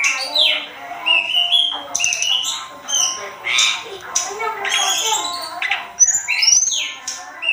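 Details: Sunda robin singing vigorously for a masteran tutor recording: continuous busy phrases of clear rising whistles, sharp downslurred notes and rasping squawks, loud and varied throughout.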